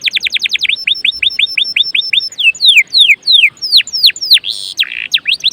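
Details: Energetic canary song meant to set other canaries singing: rapid repeated downslurred notes, then slower whistled falling sweeps, a harsh buzzy burst, and quick sweeps again.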